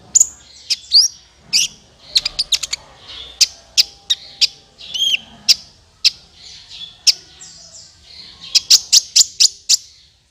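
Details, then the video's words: Sunbird (kolibri ninja) lure for trapping, with steady strings of sharp, high chips and occasional twittering phrases, ending in a fast run of evenly spaced tweets. "SUARA PIKAT BURUNG KOLIBRI NINJA"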